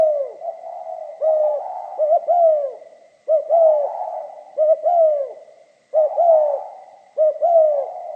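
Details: Spotted dove singing pha kim style: clear, mellow cooing phrases of quick clipped notes followed by a longer falling coo, repeated at roughly one-second gaps in quiet surroundings.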